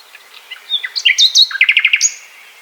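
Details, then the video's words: Common Nightingale singing in Poland, a complex phrase mixing pure flute-like whistles at differing pitches with a quick burst of about five loud repeated strikes and a final high drawn whistle. "Listen to this royal concert, which sounds most beautiful on a warm May night."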